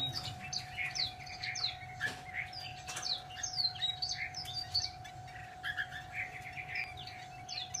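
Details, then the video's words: Chinese hwamei in continuous song: quick, varied whistles and slurred downward phrases tumbling one after another, with a constant low hum and occasional clicks in the background. "chim hạo mi"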